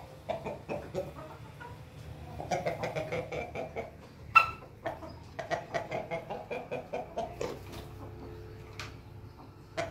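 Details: Ayam Ketawa, the laughing chicken, crowing on a Monday morning: rapid stuttering runs of harsh, clipped syllables in bursts, a short cluster first, then a long chattering run and another after a single sharp note.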